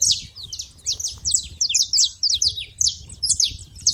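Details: Saffron finches chattering at a feeder: crisp, high, downward-sweeping chirps in uneven bursts, overlapping voices, over a quiet low background.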